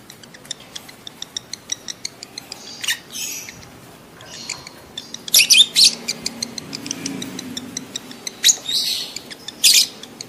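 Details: Excited lovebird chatter in breeding condition, used to prompt adults to mate: a steady stream of dry high ticks, broken by several loud, harsh, shrill squawking bursts spaced a few seconds apart.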